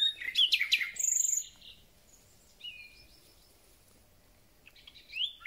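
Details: Thrush nightingale singing a full spring concert at the start of spring: bright whistled notes and sharp rising slurs in a loud burst, a pause with soft high phrases, then a renewed rising whistle.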